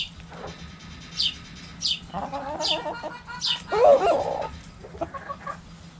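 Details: Backyard hens around a cabbage: high, brief chirping notes repeated about every second, then low, drawn-out throaty clucks and a louder squawk in the middle.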